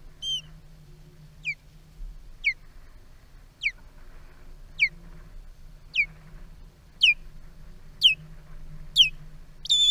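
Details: Osprey (fish eagle) at a nest camera, during an aerial fight over a large catfish, gives a series of sharp, high whistled notes, each sliding downward, about one per second, over a steady low hum.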